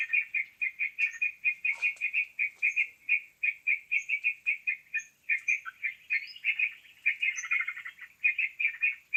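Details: Sooty-headed bulbul sound used as a lure for trapping birds: dense, fast run of bright chirping notes about three to four per second, with short high upward-sliding whistles scattered above.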